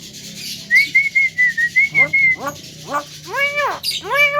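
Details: A Javan myna said to speak in a loud, clear voice gives a wavering high whistle, then a series of nasal, arched harmonic calls growing longer toward the end.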